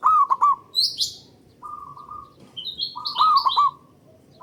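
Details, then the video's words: Local zebra dove with a big, long voice, used as a lure to stimulate singing. Fast bouncing coo trills start and end, a flat held tone between, and sharp rising chirps from other birds overhead. "Pancingan Burung Perkutut Lokal Gacor Dor Bersaut Sautan $uara Keras Panjang"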